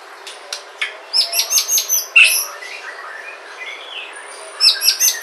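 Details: White-rumped shama from Sumatra, used as a lure to prompt other shamas to sing: scattered sharp high chirps, then a quick run of bright notes and a warbled phrase, with more high chirps at the end.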